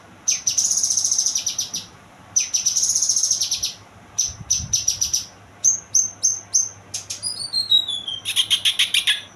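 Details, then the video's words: Young kinoy bird delivering high, buzzy chattering phrases around a second long, then quick chirps and falling whistled notes, ending in a dense trill; steady low hum in the background. "burung kinoy muda"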